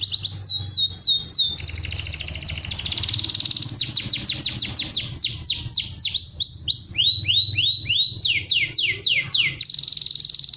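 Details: Canary singing a tutor song meant to encourage caged birds to sing: high rapid trills of repeated down-slurred and arched notes, switching between tours, with a sustained buzzy roll at the end and a soft low hum underneath.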